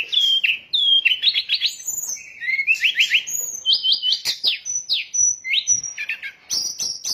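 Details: Sooty-headed bulbul lure song for bird trapping; quick stuttered trill bursts, clipped whistled notes and sharp chips repeated in a lively, unbroken sequence.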